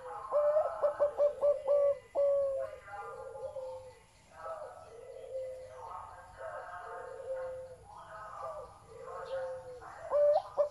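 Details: Deep-voiced zebra dove song opens with rapid clipped coos ending in a long, level drawn-out note, followed by quieter rolling cooing phrases from other doves in the background.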